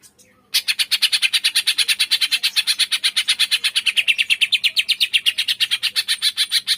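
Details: Green leafbird giving a 'tembakan' volley song, meant to provoke reluctant birds into singing: after a brief quiet start, a loud, fast, steady chatter of sharp high notes, about six per second, continuing for six seconds.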